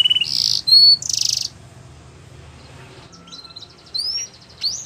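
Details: Training-song canary phrases for young birds: two bursts of dense buzzy trill, a short pause, then thin high whistled slides and chirps rising in pitch over a quiet background.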